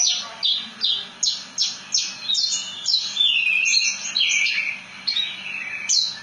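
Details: Melodious song of a Javan bush lark (branjangan), ngerol nembak style: a run of sharp downslurred high notes about three per second, flowing into a continuous warbling trill.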